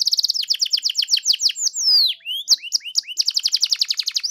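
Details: Singing canary, used to provoke a pet canary into song: a quick trill of descending notes, a loud sweeping whistled phrase with several slurred notes, then a renewed rapid, even, bubbling trill.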